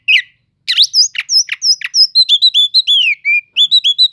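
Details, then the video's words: Oriental magpie-robin singing a cele'ngan-style song meant to provoke sluggish magpie-robins: sharp rising notes, then paired high whistles and a rapid run of slurred, descending whistled phrases, with brief silence near the start. "Pancingan untuk burung kacer yang lambat emosi.setelah dengar kicauan kacer cele'ngan ini"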